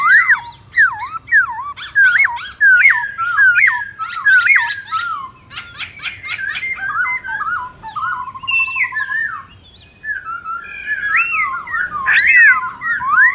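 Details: ['Black-throated laughingthrush in competitive fighting song with many voices, used to excite other birds. Looping whistled slurs repeat rapidly, then give way to sharp clicks, a fast rattling trill and more bright, swooping whistles.']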